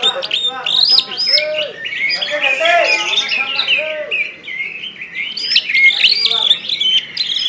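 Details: Greater green leafbird from Kalbar (West Kalimantan), a caged songbird in gacor style: loud, clear whistled slurs rising and falling, interleaved with quick chirps, short rattles and high sharp notes.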